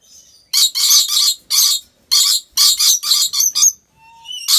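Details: Captive rainbow lorikeet at a wildlife park in Aceh Besar, Aceh, Indonesia, giving harsh, grating screeches in quick bursts of about half a second, grouped in twos and threes with short silences between.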